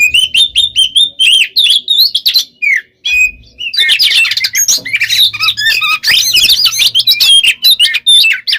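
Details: Oriental magpie-robin pouring out 'gacor konslet' song, a machine-like nonstop stream meant to make other birds agitated: varied whistles and harsh chattering notes packed tightly together, growing denser in the second half.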